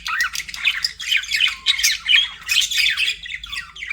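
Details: Budgerigar warbling with clearer rising and falling chirps and squeaks in pulsing phrases, each lasting about half a second, separated by brief dips.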